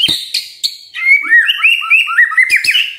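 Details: Morning white-rumped shama song meant to prompt quiet birds to sing, opening with harsh buzzy clicks, then a rapid run of sweet looping whistles and trills, closing with sharp rasping notes.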